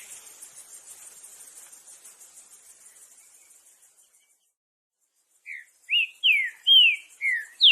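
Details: Green-winged saltator in the wild: a high insect-like buzzing fades out over the first four seconds, a short silence follows, then a bright series of loud, falling whistled notes in quick succession.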